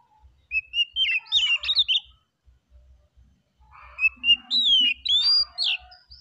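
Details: Oriental magpie-robin singing relaxed, calming song: two bursts of clear whistled phrases, rising and falling with quick slurred notes, separated by a short pause, with faint low thumping underneath.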